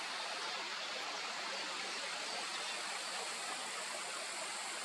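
Steady, even rushing noise fills the whole recording, like flowing water or distant traffic, with no distinct calls or songs standing out.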